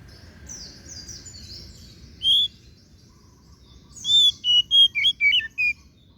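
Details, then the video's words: Singing oriental magpie-robin (kacer daput): soft buzzy warbling notes at first, then a single sharp whistle and a lively string of about eight short, varied whistled notes falling in pitch. "KICAUAN KACER DAPUT MEMPESONA"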